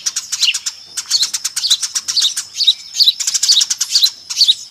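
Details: Eurasian tree sparrows in a noisy flock, used as a lure call: dense, overlapping high chirps in quick bursts, about two per second, with brief gaps between clusters.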